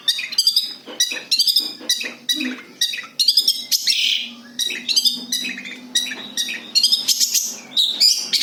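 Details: Natural long-tailed shrike song, free of imitations, used for luring birds: rapid scratchy chattering phrases mixed with harsh buzzy notes, delivered in quick bursts over a faint low hum.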